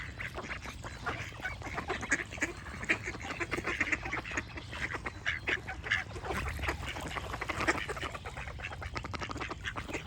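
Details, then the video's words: A crowded chorus of ducks, rough quacks tumbling over one another almost without pause, with faint chirping from other birds and a low background rumble. "Duck Quack Sound Effect with Birds Chirping"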